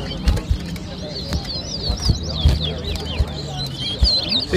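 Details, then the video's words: Competing towa towa birds at a 2023 whistling contest in New Amsterdam, Berbice, Guyana, trilling quick high twisting whistles nonstop while voices murmur and a low hum runs underneath. "TOWA TOWA BIRD WHISTLING COMPETITION"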